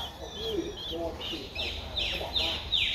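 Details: Streak-eared Bulbul chick twelve days old, Ubon Ratchathani, Thailand, 14 April 2023. Louder, sharp downslurred chirps that grow stronger and faster toward the end, over faint lower notes and background hum.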